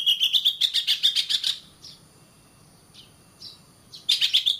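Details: Oriental magpie-robin song for training caged birds to sing: a fast chattering series of repeated whistled notes, a pause with a few isolated short slurred notes, then the rapid chatter resumes.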